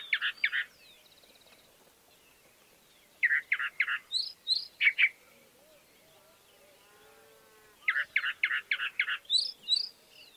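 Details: Chalk-browed mockingbird song in bursts of harsh, repeated chattering notes with higher squeaky phrases, separated by pauses; faint softer bird calls in the background.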